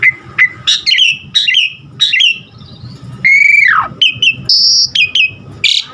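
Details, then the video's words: Asian pied starling (jalak suren) giving varied, vigorous song for training caged birds: sharp whistled notes and buzzy phrases, a long strongly downslurred whistle, and a high steady squeal. "Pancingan Jalak Suren GACOR Isian Variasi Suara Burung"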